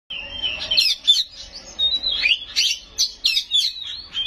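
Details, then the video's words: Caged white-rumped shama singing in a loud, full song packed with imitated phrases: bright whistled notes, rapid slurred warbles and sharp upward sweeps in bursts about every half second, with no other sounds. "Suara Burung Kacer Gacor full isian Nembak"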